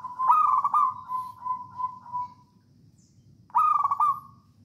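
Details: Perched local wild zebra dove from Java singing 'songgo ratu' style, used to coax other doves into song. A rapid pulsed trill of coos slows and fades over two seconds, then after a silent gap a fresh stuttering phrase begins.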